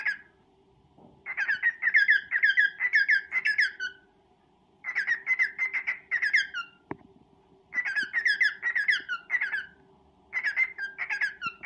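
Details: Male pet cockatiel serenading and courting a female indoors: three bursts of rapid, chirpy warbled notes, each lasting one to two seconds, separated by short silences, over a faint steady low hum.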